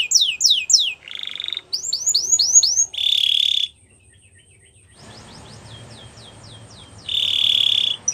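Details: Spanish Timbrado canary song meant for training: short bursts of falling notes alternate with flat buzzy metallic trills, separated by a near-silent gap and a stretch of faint rapid notes.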